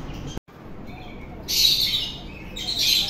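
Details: A pet parrot calling: after a soft faint whistle, two loud, harsh, high squawks, the first lasting about 0.7 seconds and the second shorter, with a brief click near the start.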